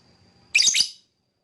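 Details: Lovebird letting out one harsh, raspy chattering burst lasting about half a second, high and shrill, then falling silent.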